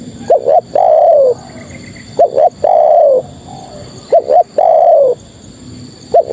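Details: Spotted dove female calling to males: three phrases of a short double coo leading into a long downward-sliding coo, spaced about two seconds apart, with faint high chirps from another bird.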